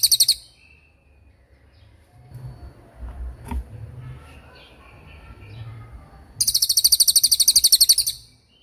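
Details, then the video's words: Cililin in a clear tutor recording of its 'tembakan' song style, made for training oriental magpie-robins and other songbirds: a brief high burst, a lull with low rumbling, then a fast, even trill of sharp, very high notes. "MASTERAN TEMBAKAN CILILIN GACOR DOR,SUPER JERNIH & TAJAM"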